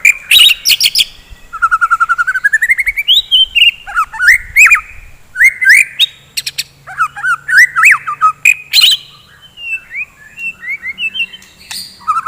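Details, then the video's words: Lively morning song of a white-rumped shama, a singing bird used to rouse fighting birds: a rapid varied medley of rising whistles, fast trills and sharp clicks, running without pause and changing phrase every second or two. "KICAUAN GACOR,, DI PAGI HARI,, MEMBANGKITKAN MURAI BATU GACOR FIGHTER"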